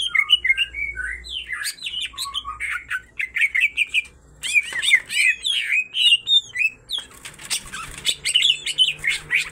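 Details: Female and male greater green leafbird both singing vigorously, song full of tengkek (kingfisher) imitations: rapid whistled and chattering phrases, about three notes per second, with a brief pause near the middle and a scratchy, dense close.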